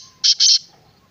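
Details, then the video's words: Two loud, coarse buzzy notes from a black francolin, the second longer than the first, given in quick succession in a quiet setting. "Black Francolin kala Teetar"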